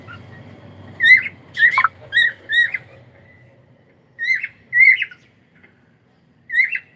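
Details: Domestic cockatiel giving a few warbled whistle notes, then a pause and two more phrases, over a low rumbling background at the start.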